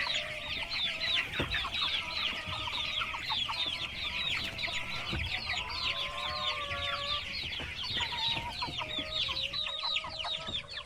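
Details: Baby chicks chirping en masse, a dense wall of high looping peeps running throughout, with several clear steady whistled tones in the middle and occasional low thuds.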